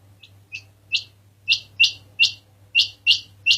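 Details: A quail calls with bright, buzzy notes, starting soft and growing louder, about nine in three and a half seconds, some in quick pairs, with a low hum beneath.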